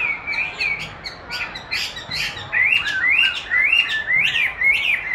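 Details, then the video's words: Chinese hwamei, trained by hearing its own song played back and keen to compete with it; repeated ringing whistles rising in a series of upswept notes about twice per second, growing louder. "Dùng đúng giọng hót của nó để luyện hót cho nó(công nhận nó rất thích đấu với chính giọng của mình)"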